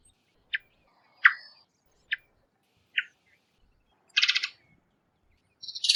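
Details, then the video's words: Several isolated sharp chips from a varied thrush, one with a short trailing tail, come about once a second, followed by a coarse buzzy rasp and the start of another. "Varied Thrush Call - Varied Thrush Call Sounds - Varied Thrush Bird Call - Varied Thrush Chirp"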